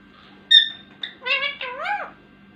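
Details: A talking Indian ringneck (rose-ringed) parakeet speaks in a nasal, reedy voice: a sharp squeak, a short clipped note, then two wavering syllables, with a faint room hum behind.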